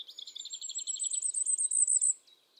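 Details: A common firecrest sings in the Eifel near Dohr, Germany, a very high, thin series of rapid notes that climbs in pitch and grows louder for about two seconds, then stops abruptly.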